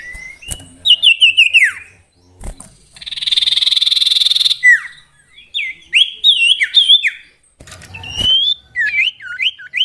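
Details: Common iora, called sirtu or cipoh, giving a varied whistled song: bursts of rising and falling slurred whistles, a steady buzzy rattle in the middle, then more quick upslurred notes, with some clicks and thumps.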